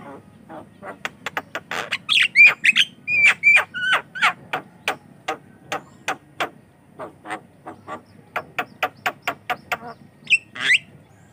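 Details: Javan myna singing as a lure and training sound for other mynas: quick dry clicking notes in fast series, with some whistled phrases mixed in.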